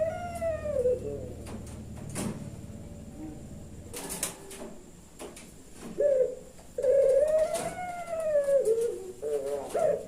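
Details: Caged puter pelung turtle dove from Kebumen, Central Java, calling in the 'nembak' style: several clicks and knocks first, then short coos and a long swelling coo that bends slowly down at the end.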